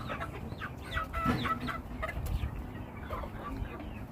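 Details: Chickens in a flock giving soft repeated clucks and brief squawks, with low rumbling noise underneath.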